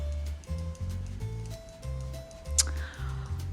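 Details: Only music is heard, with steady bass-heavy tones and a single sharp click near the end; no animal calls.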